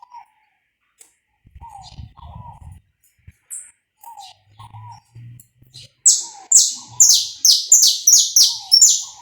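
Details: Saffron finch recorded live without cuts as a warm-up song, pega pé style; after quiet low cooing and soft sounds, a burst of loud, sharp, high descending notes repeated roughly twice a second.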